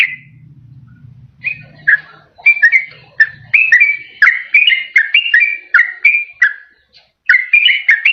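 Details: Yellow-vented bulbul song played to lure wild birds or spur quiet ones to sing: a low hum at first, then a lively stream of warbled whistled notes that rise and fall, with brief pauses near the end.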